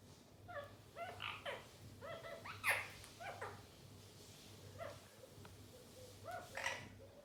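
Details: Playing Indian ringneck parakeets trade chattering, nasal squawks and a few sharp high shrieks, delivered irregularly across several seconds above a steady low background hum.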